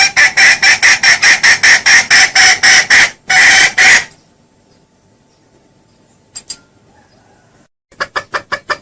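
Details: Trapping lure call of junglefowl, clear and loud: a long volley of harsh repeated clucks about twice a second, a pause of near silence with one faint note, then a renewed short burst.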